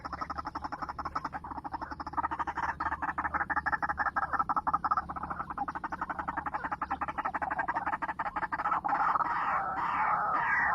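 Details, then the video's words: White-breasted waterhen calling at 7 in the morning as a trapping lure: a continuous fast chattering, harsh and pulsing, swelling louder toward the end over a steady low hum. "pikat burung ruak ruak jam 7 pagi"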